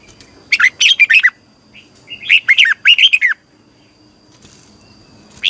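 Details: Red-whiskered bulbul used to train other bulbuls in morning singing, in the long double twisting style (giọng kép xoắn dài): two rapid phrases of bright, curving, warbled notes, each about a second long, separated by a pause, with a third phrase beginning.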